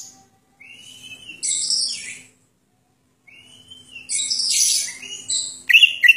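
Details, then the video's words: Greater green leafbird singing its isian song, a filled-in repertoire: a rising whistle leads into buzzy, scratchy high phrases, then a pause, another whistle and a dense run of chattering notes ending in sharp chips. "Suara burung cucak ijo isian"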